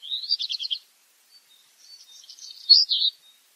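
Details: Black redstart song: a rapid rattle of about seven high notes, a pause filled with faint crackling, then a louder burst of sharper, slurred notes.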